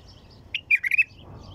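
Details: A white-eared bulbul gives one brief, melodious phrase of four quick liquid notes, fluty and rolling, with soft distant chirps of other birds before and after.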